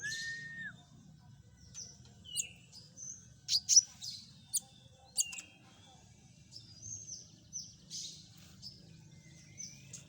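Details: Common iora sound used to lure birds: a brief low whistle opens, followed by sparse high chirps, sharp ticking notes and a later series of short descending whistles, quiet low hum throughout.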